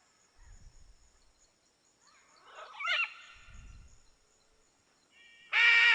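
A scarlet macaw gives a harsh, grating squawk, loud and abrupt, after a rougher rasping call; soft low thumps and a faint steady background hum.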